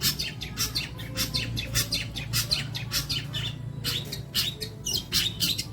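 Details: Long-tailed shrike song as training material for songbirds: quick chirps and harsh buzzy notes repeated at a brisk pace, with a few downslurred whistles and a noticeable low rumble.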